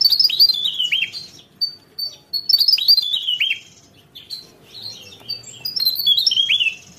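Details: Energetic Javan tesia delivering repeated bursts of high twittering and sharp downslurred whistles, several phrases of about a second each with short gaps.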